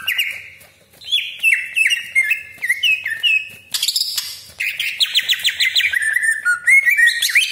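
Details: Greater green leafbird (cucak ijo) lure song with long rolling phrases: a run of repeated down-slurred whistles, then a burst of harsh scratchy notes and a fast stuttering series of high sweeping whistles.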